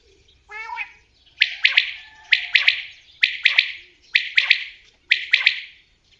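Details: Common quail giving its rhythmic three-part call, a clipped 'whit, wit-wit' repeated five times at roughly one-second intervals after a brief nasal opening note.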